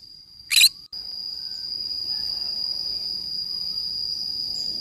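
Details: Green-cheeked conure playing alone in a forest gives a single harsh, broadband squawk about a fifth of a second long, set against a steady, high-pitched insect-like whine that runs through the whole recording.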